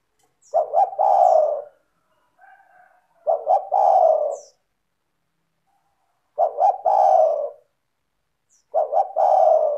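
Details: Spotted dove (tekukur), a vigorous, clear songster used to lure other doves: four phrases, each two short hoots and a sustained falling coo, spaced about two to three seconds apart, with faint chirps in a gap.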